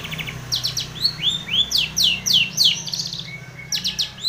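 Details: Long-tailed shrike calling to provoke a rival, used as a lure: a busy run of high chirps, sharp downslurred notes and short whistled phrases, several notes every second, with a faint low hum underneath.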